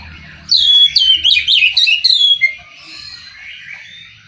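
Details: Oriental magpie-robin delivers a lively two-second run of varied whistles, chirps and sharp upward slurs, with rapid changes of pitch, followed by quieter trailing warbles.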